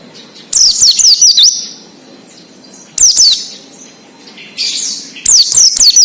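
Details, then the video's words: Oriental white-eye singing wild, offered as a lure for untrained cage birds: three loud bursts of high, wavering, downslurred whistles about two seconds apart, with a softer twitter between them. "PLECI NGALAS UNTUK PANCINGAN BUNYI PLECI BAHAN / OMBYOKAN"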